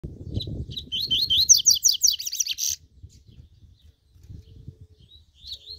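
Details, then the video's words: Captive double-collared seedeater warming up, a fast, strong singer: a rapid run of high, sweeping whistled notes for about two and a half seconds, then quiet with a short faint phrase at the end; low background rumble. "COLEIRO LE BRON DANDO UM ESQUENTA"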